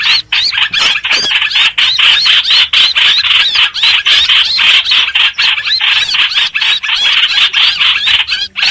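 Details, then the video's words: Streak-eared bulbul song used as a lure for bird trapping: a loud, unbroken stream of bright chirping notes, about two per second, with quick warbled phrases running together throughout and no other clear sounds. "Tiếng chim hoành hoạch mồi chuẩn"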